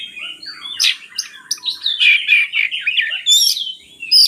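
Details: Oriental magpie-robin singing a dense, scratchy medley of rasping chatters, sharp squeaks and quick warbles, a recording used as a lure to prompt lazy magpie-robins to sing.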